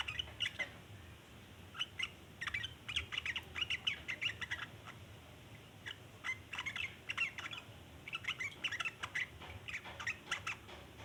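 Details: Extended chattering song of a sooty-headed bulbul, with dense clusters of harsh, bubbling chirps separated by short pauses and repeated over and over above a low, noisy background.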